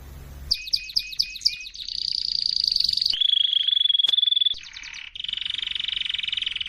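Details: Canary singing a training song: a row of sharp, upward-sweeping chirps, then a long, buzzy high trill, a fast, level trill, brief chopped notes, and a steady rolling trill to the end. Faint low hum at the start.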